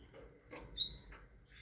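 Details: A brief high whistled phrase from a tit: a sharp high note sliding into a longer, slightly lower ringing whistle, in a quiet setting.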